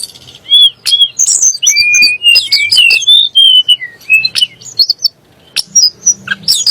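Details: Song of a Sunda blue robin, meant to make rival magpie robins agitated and sing: a long, rich medley of high whistles, rising and falling slurs and rapid chips, easing off near the end.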